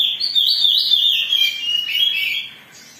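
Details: Agitated Oriental magpie-robin singing as a provoking lure for other birds, a dense stream of quick, warbling whistles and scratchy notes at high pitch, fading out after about two and a half seconds.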